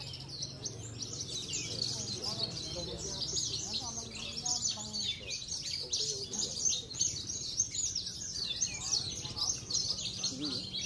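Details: Trophy-winning contest Javan bush lark, race parva, owned in Cilacap, sings long, dense, high twittering phrases with quick slurred notes, accompanied by steady chatter of people nearby.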